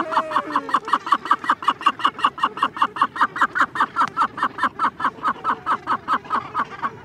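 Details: Cape gannet chick giving close begging calls with occasional adult calls in the background: a steady run of short, harsh, nasal notes, about two and a half per second, evenly spaced, with faint lower drawn-out calls beneath.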